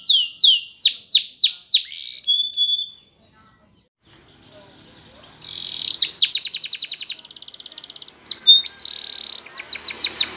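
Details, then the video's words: Timbrado canary, the Spanish breed, singing for training: descending swooping notes, a pause of near silence, then quick rattling trills and a held whistle before more sweeping notes. "Timbrado Canary's Most Powerful Singing For Training"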